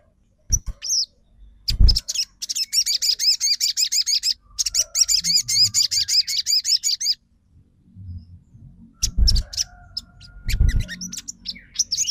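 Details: Crimson sunbird trotol song used to provoke silent birds to sing: long, fast rattling trills of high chirped notes lasting several seconds, a pause, then more scattered high notes and low knocks.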